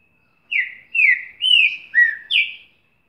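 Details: Green-winged saltator singing eagerly: five loud whistled phrases, each sliding downward, the fourth lower and the last rising higher, delivered in a quick steady series over a silent background.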